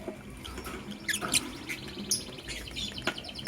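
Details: Lovebirds in the morning, a blue opaline and a green personata. Sharp shrill chirps come in quick pairs and triplets, with buzzy high chatter between them and a low hum underneath.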